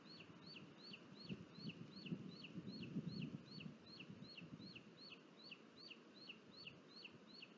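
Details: In Sierra de Guadarrama National Park, Spain, on 23 July 2022, a booted eagle nest where the father brings food and the chick eats alone. Evenly spaced, high, falling whistled notes come about twice a second. Muffled low thumping sounds early on.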